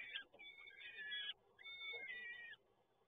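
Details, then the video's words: Peregrine falcon chicks begging during feeding at Toruń, Poland, 30 April 2022: two drawn-out, harsh, wavering wails with falling ends, about a second each, over a steady low hum. "Sokół wędrowny PGE Toruń - Karmienie"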